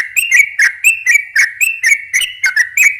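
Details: Sooty-headed bulbul singing a fast ropel, meant to lure wild bulbuls: bright whistled notes with sharp clicky starts, about four per second, in a steady rolling sequence.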